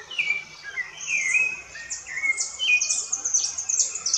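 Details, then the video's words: Rufous-bellied thrush singing in the woods, a run of clear whistled phrases, each sliding down or level, delivered one after another with brief gaps, accompanied throughout by sharp, very high chirping notes. "Sabiá Laranjeira cantando bonito no mato"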